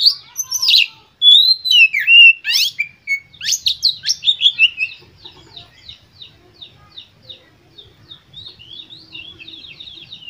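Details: White-rumped shama singing to stimulate other birds, loud varied whistles and trills at first, then a long run of soft, evenly spaced chirps fading away.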